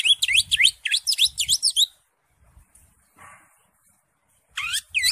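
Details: Captive green leafbird singing loudly, played to coax other caged birds into song: rapid V-shaped whistles in two quick bursts, a short pause with faint low thumps, then renewed whistling at the close.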